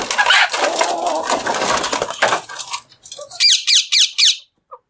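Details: Feeding Alexandrine parakeet: a stretch of dense crackling and rustling noise gives way to four loud, evenly spaced, harsh downslurred squawks, ending with a brief faint note.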